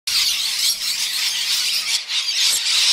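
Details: A flock of what sounded like hundreds of rainbow lorikeets bursts out of a gum tree in Chelsea, Victoria, Australia, and flies off. Many harsh, high screeching calls overlap into a continuous shrill chatter.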